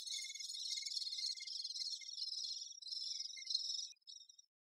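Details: Great spotted woodpecker busy with its young: a dense, continuous high buzzy chattering of rapid rasping notes that runs for about four seconds, then fades into a few softer trailing buzzes.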